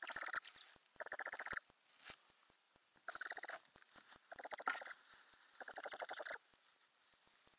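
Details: Ural owl nest box holding growing owlets, recorded 9–31 May 2020 from inside: repeated bursts of fast, buzzy chattering pulses, each lasting under a second, interspersed with thin high squeaks.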